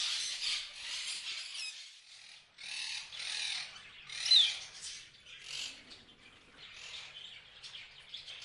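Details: Parrots chirping and squawking in a dense, harsh, high-pitched chatter, several overlapping bursts with short quieter gaps between them.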